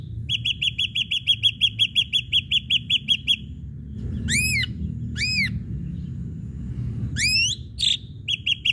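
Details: Ashy drongo song played as a lure to get other birds singing. A rapid string of sharp, repeated chirps gives way to a pause, then a few loud arching whistled slurs, before the chirping series resumes.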